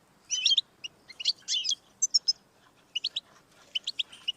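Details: European goldfinch song played to encourage a pet goldfinch to sing, with bright buzzy twittered bursts first and then a run of short, high, liquid chips spaced about every quarter second.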